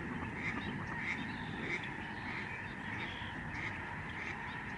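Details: A flock of migrating Lesser Snow Geese over a Canadian sanctuary in November 2011 gives clear, yelping honks in quick succession, standing out above the dense background chatter of many more birds.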